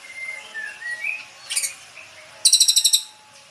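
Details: Young white-rumped shama, the eighth chick of a Medan-line male, just taken from its parents' breeding cage. It gives a few soft, slurred whistles, then a short buzzy note, then a rapid series of about seven harsh, rasping pulses.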